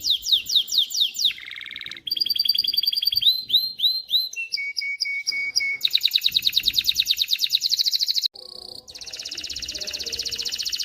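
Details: Male canary performing a long varied song to teach chicks and ready hens for breeding: descending whistles, rising slurs, flat piping notes and long, rapid rolling trills in alternating tours.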